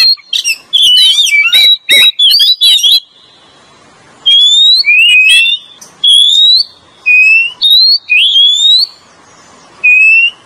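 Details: Oriental magpie-robin lure song from male and female: opening rush of fast chattering notes, then spaced, upward-slurring clear whistles repeated roughly every second with silent gaps.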